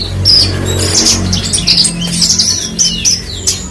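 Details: Parva-type Horsfield's bushlark, a tutor songbird, delivering quick chattering phrases of high whistled notes and short downslurred chirps, about eighty-seven notes a minute, against a steady low hum.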